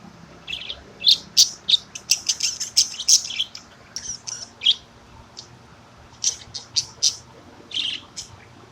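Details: Pet budgerigar at 8:30 in the morning, calling during a morning workout; high, sharp chirps and short squawks come in quick irregular bursts, over a steady low background hum.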